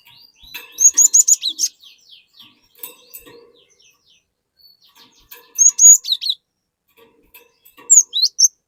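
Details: Cinereous tit singing to draw an untrained bird into loud song: a rapid string of high chirps, quieter ticking, then two more bursts of sharp descending notes.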